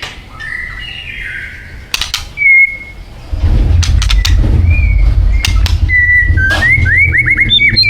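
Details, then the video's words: White-rumped shama of Thai origin giving its isian song: clear flat whistles and rising chirps over a steady low hum, with sharp clicks between phrases. "Murai Batu Thailand bikin ngeri isiannya"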